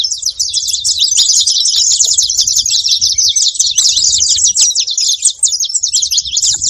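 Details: Dense high chirping from a saffron finch, fast repeated sharp notes forming a continuous rattling chatter that thins slightly toward the end; faint low background hum.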